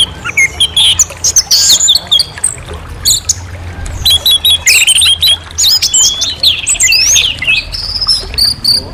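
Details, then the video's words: Clear song of an orange-headed thrush: a varied string of short whistled phrases with sharp upslurs and downslurs and some scratchy notes, delivered in bursts separated by short pauses over a low background hum. "Suara Jernih Burung Anis Merah"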